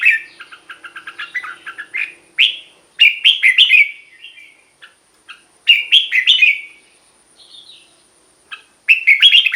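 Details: Red-whiskered bulbul song aimed at exciting caged birds: a fast series of short chirps, then several loud bubbling whistled phrases separated by pauses, plus a few thin single notes.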